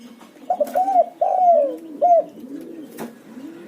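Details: Spotted dove cooing as a lure to provoke other doves: a short phrase of three or four loud, hollow, arching coos, the middle note drawn out and falling, over quieter low coos and a sharp click.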